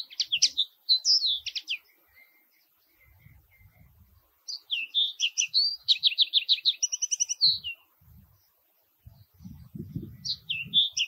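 A common linnet gives bursts of quick, dry twittering notes, high and chattering, in three runs separated by pauses; faint low rumbles sound in the gaps.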